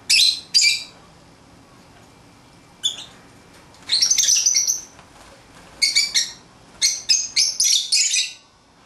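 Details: Lovebirds at play outside their cage chatter in loud, shrill, raspy bursts: two quick shrieks, a pause, then a long grating squawk and a fast irregular series of piercing chirps and screeches.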